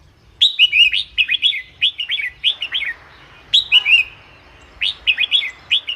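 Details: Red-whiskered bulbul singing, a recording meant to make caged bulbuls excited: quick, chirpy whistled notes in short looping phrases, several phrases in rapid succession with a faint low hum beneath.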